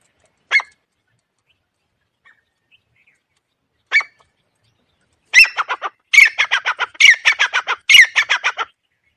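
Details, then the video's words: Grey francolin call played as a hunting lure: two lone sharp notes a few seconds apart, then a loud burst of about twenty quick, piercing notes in uneven clusters, in otherwise quiet surroundings. "तीतर की आवाज आहे रांटी.. 🔊🔊 chitracha awaaz aahe"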